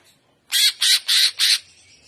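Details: Greater green leafbird, known locally as cucak ijo, giving trotolan song in gaya udang style: four loud, harsh, evenly spaced notes in quick succession, each about a fifth of a second long.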